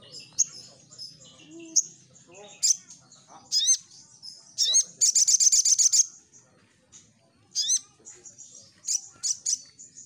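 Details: Energetic sunbird singing, played as a lure to make wild birds answer; high thin chirps and squeaky sweeping notes scattered throughout, with one fast run of about a dozen clipped notes in the middle, faint low murmuring underneath.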